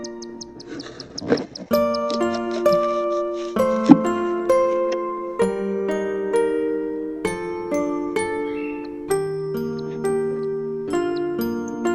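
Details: A gentle chiming melody of bell-like tones, like a glockenspiel lullaby, with no animal voices.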